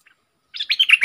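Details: Brief burst from a caged decoy bulbul in good singing form: a faint chip, then a half-second run of five or six rich, throaty warbled notes.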